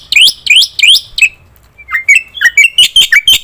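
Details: Black-winged myna in loud song, used as a lure for other birds: rising whistled sweeps, then a varied jumble of short whistles and sharp chips.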